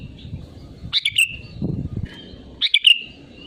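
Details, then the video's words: Sooty-headed bulbul singing vigorously, used as a lure to get other bulbuls singing: two short bubbly chirping phrases about a second and a half apart, over low rumbling background noise. "BURUNG KUTILANG GACOR SUARA ASLI PALING AMPUH UNTUK PANCINGAN AGAR IKUT BUNYI GACOR"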